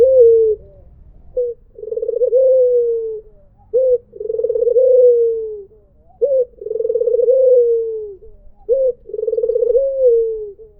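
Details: Rhythmic cooing from a white Barbary dove in the 'mpuk jeruuu' style: a curt introductory note, then a long burring coo that rises slightly and trails downward. The phrase recurs roughly every two and a half seconds, four times, against near silence.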